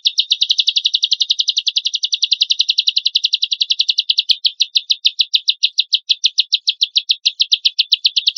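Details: Lovebird giving a lure song meant to set other lovebirds singing, a harsh 'tembakan kasar' burst from a champion bird: a long, unbroken stream of fast, sharp chattering notes that loosen into a slightly slower, steady ticking rhythm.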